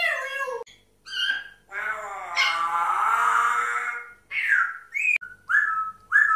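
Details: Four pet grey parrots give rich, nasal, harmonic calls: a long wavering squawk that dips and rises, then several short clear whistles, some slurred downward, in quick succession.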